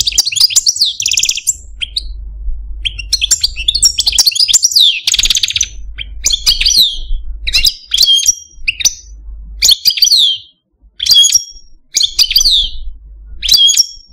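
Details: Pet male Algerian Parva goldfinch in a cage gives a long complex song: bursts of high twittering, buzzy phrases and sharp chip notes, separated by short gaps, with low background hum.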